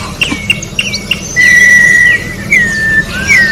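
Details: Orange-backed troupial singing outdoors, a few short sharp whistled notes followed by long clear level whistles and falling slurred whistles, over a soft low hum.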